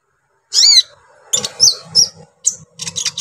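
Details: Brown-throated sunbird song used to provoke other sunbirds: a loud, wavering whistled note, then rapid, scratchy high chirps over a low rumbling background.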